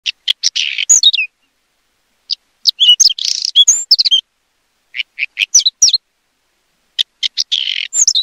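A Whinchat gives short, high, scratchy phrases of mixed whistles and chirps, each about a second long, with pauses of a second or more between them.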